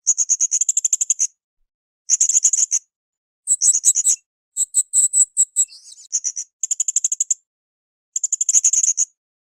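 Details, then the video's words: Cage-bird training recording of blue-crowned hanging parrot song: repeated runs of shrill, rapid, high-pitched chirps, about seven bursts over ten seconds, one including a short warbled twitter, with quiet gaps between phrases. "SUARA MASTERAN BURUNG SRINDIT GACOR"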